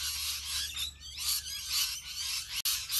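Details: Huge flock of rainbow lorikeets: a dense, continuous wall of shrill, overlapping screeches and chatter, high-pitched and harsh, swelling and fading in waves with one abrupt brief drop near the end.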